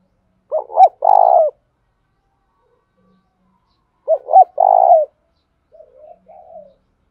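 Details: Spotted dove calling as a decoy to attract other doves. Two loud phrases of short paired notes and a drawn-out purring coo, then a softer, quieter set of low coos at the end.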